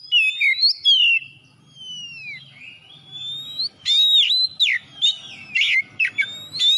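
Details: Energetic Oriental magpie-robin song meant to coax other birds into singing: long sliding whistles and swooping notes, followed by a rapid jumble of sharp chirps and trills, with a faint low hum beneath.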